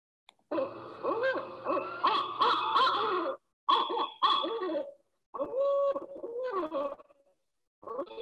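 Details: Barred Owl recording played through a speaker in a small room during a June talk, giving loud, raucous hooting and cackling bursts, four rough phrases over eight seconds, its mnemonic "who cooks for you, who cooks for you all".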